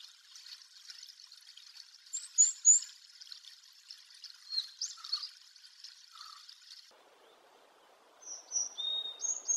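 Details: Varied tit giving its call notes and song: short high chips and a few lower nasal notes, then clearer whistled song notes near the end, over a steady rushing hiss like running water.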